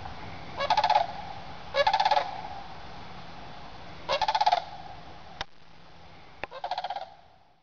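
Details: Morning flyover of a group of sandhill cranes heading from their woodland roost to feeding fields at sunrise. Four loud, rolling, bugled rattles come in well-spaced bursts, the last fading, with faint clicks and steady background hiss.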